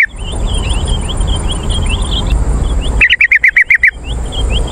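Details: Yellow-vented bulbul call meant to draw in wild birds: a run of soft, thin, high chirps for three seconds, then a loud burst of seven rapid chattering notes, followed by more faint chirps over background hiss.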